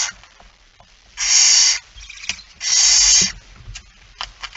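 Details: Barn owl calls at 23:55 on 17 September 2019 while a male arrives with a mouse: two loud, drawn-out hissing screeches about a second apart, amid soft clicks and scratching sounds.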